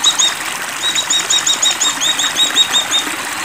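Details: An Oriental white-eye in breeding condition pours out a continuous stream of rapid, high, evenly repeated chips, with trickling water in the background.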